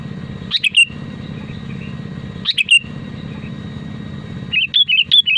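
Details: Sooty-headed bulbul in lively full song, used to prompt other bulbuls to sing: short bubbly whistled phrases of three or four notes, repeated about every two seconds, then a quicker warbling run at the end over a low steady hum.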